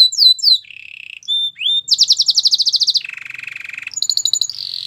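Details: Canary singing aimed at a quiet canary: falling whistles, a low buzzy roll, flat notes, then a fast pulsed high trill, a lower rattle and a final high buzz.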